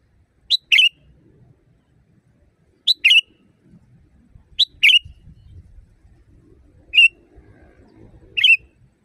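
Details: Loud sooty-headed bulbul used as a training recording for caged birds. Five phrases roughly two seconds apart: three pair a thin lead note with a buzzy note, and the last two are single burry notes. Low rumbling noise throughout.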